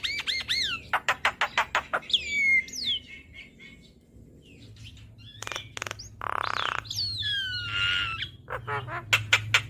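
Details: Asian pied starling (jalak kebo), a cage bird in full song on a training recording: varied whistles rising and falling, a run of rapid sharp clicks, a harsh buzzy burst and slurred notes, with low background hum.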